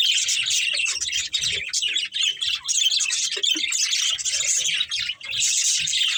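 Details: Breeding pair of budgerigars in a family group, chattering continuously with dense, scratchy, high warbling chirps that barely pause, dipping briefly around the one-, two- and five-second marks.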